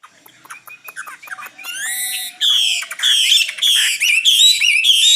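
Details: Common nightingale singing in 2016: soft scattered clicks and faint notes build into loud, repeated high buzzy phrases with sweeping whistles in the last three seconds.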